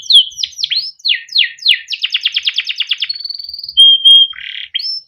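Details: Male canary, caged in Indonesia, in a 'ngerol' rolling song used as a tutor recording: swept chirps, a fast buzzy rattle roll, a steady high whistle, a low buzz and a final rising note.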